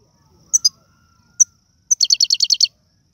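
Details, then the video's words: European goldfinch from Algeria singing tiwawati and serfati styles. Two sharp high chips and a lone note lead into a fast, even run of about eight bright ringing notes. "من اقوى اغاني طائر الحسون, تيواواطي قالوبي النادرة + سرفاتي"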